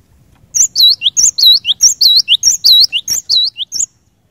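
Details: Constantly singing cinereous tit whose song is said to trigger other cinereous tits into song: a steady run of about fifteen piercing whistled notes over three seconds, high looping notes alternating with lower slurred ones.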